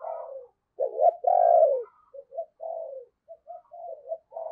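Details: A spotted dove used as a lure bird, voice of the deep 'thunder' style, delivers a booming long coo followed by a run of short soft muffled coos.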